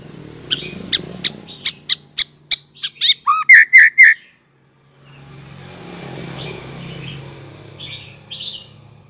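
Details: Young white-rumped shama just out of its spotted juvenile plumage, a sound used to prompt young shamas to learn singing: a dozen sharp clicking notes speeding up into buzzy downslurred chirps, then a pause and quiet distant twitters over low hum.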